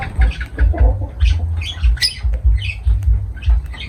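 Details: Pet lovebird parrots making shrill, scratchy squawks and piercing chirps in irregular bursts, over a steady low pulsing thump in the background.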